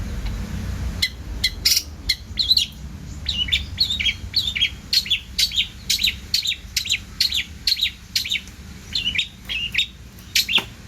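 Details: Long-tailed shrike singing with plentiful varied phrases: a short chattering burst, then a steady sequence of rising-and-falling high notes, some paired, separated by brief pauses.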